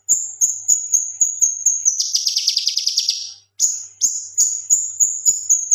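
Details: Active male cucak kinoi leafbird used as a master recording: thin high whistled pips repeated about three per second, a dense buzzy trill in the middle, then more sharp piping notes.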